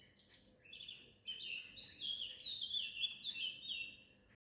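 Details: Birds singing at a window; a lively run of high twittering and whistled notes, rapid and varied, over faint background noise.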